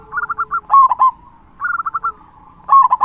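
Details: Local zebra dove with a big 'kung' voice used to tutor quiet doves: a soft fast trill of bubbly notes followed by a loud rolling coo, repeated twice within a few seconds.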